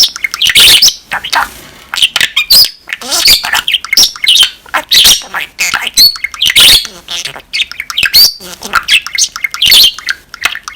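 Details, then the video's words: Budgerigar warbling a fast, scratchy chatter of chirps and squawks, with mimicked Japanese human words slipping out now and then mid-song. "さえずり中、ふいに出てくる言葉たち セキセイインコ"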